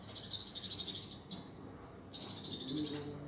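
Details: Sunbird song played as a training tutor for caged birds: very high, dry, rapid trilling buzz running continuously, broken by one brief pause before resuming.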